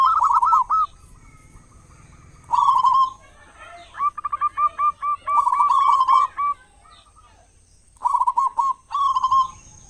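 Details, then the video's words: Loud-voiced local zebra dove serving as a morning and evening lure to set other doves singing; repeated phrases of quick bubbling coos alternate with runs of short, evenly spaced coo notes and brief silences. "perkutut lokal gacor suara besar buat pancingan diPAGI dan sore"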